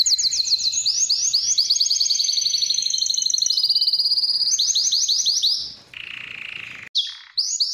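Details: A Spanish timbrado canary gives its training song: long rapid ringing trill, rolling descending sweeps, then a lower buzzy steady note, a brief break and a short high trill.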